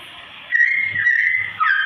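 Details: Sooty-headed bulbul singing a slow-tone tutor song used to train straw-headed bulbuls; after half a second of quiet, a clear whistled phrase holds steady, dips slightly, then breaks into a lower, warbling note at the end.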